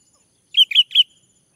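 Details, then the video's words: Male orange-headed thrush song used to make other birds sing: three clear whistled notes at an even pitch, each short and slightly slurred, delivered in quick succession without any background sound. "Anis merah jantan, agar bunyi"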